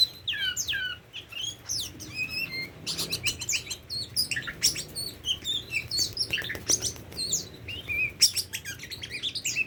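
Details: Oriental magpie-robin, tame, singing a long, continuous run of varied chirps, clicks and short whistles for nearly ten seconds, with scratchy bursts throughout.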